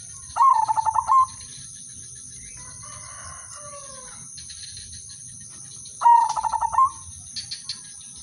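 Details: Melodious udanmas silver zebra dove song used as a lure to draw other doves into singing: two fast pulsed coo phrases with upturned endings, about five seconds apart, with faint falling calls of another bird between them and a continuous high whine.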